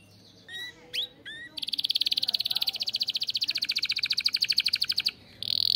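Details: Canary in a breeding aviary, its song said to excite its chicks: a few scattered slurred chirps, then a long fast metallic trill that changes tone near its end before a short pause.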